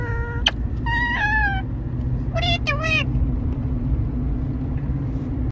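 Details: Captive parrot mimicking speech: a brief whistle-like note, then two bursts of high, nasal, word-like syllables, followed by quiet, with steady low humming noise in the background.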